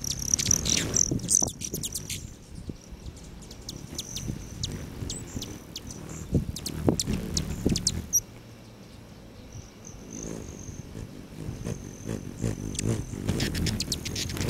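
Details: Hummingbirds at patio feeders outside a lodge near Great Sand Dunes National Park, Colorado, on a July 29 morning at 9:14; scattered sharp, very high chips and a thin steady whine, over a low rumbling background.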